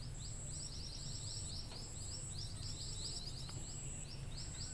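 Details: Scaly-breasted munia calls used as a lure sound for birds: rapid series of short, high, thin upslurred peeps, many overlapping as if several birds, over a steady high insect-like whine and low rumble.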